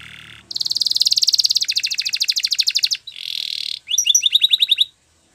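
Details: Canary song used for training other canaries to sing: a short buzzy burst, then a long fast rolling trill of repeated notes that drops lower, a steady buzz, and finally a bright chain of quick rising chirps.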